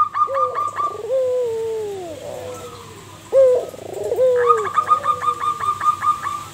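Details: Local zebra dove singing actively, used as a lure to prompt other doves to answer: low drawn-out falling coos alternate with rapid bursts of short, evenly repeated higher notes, giving about two full phrases.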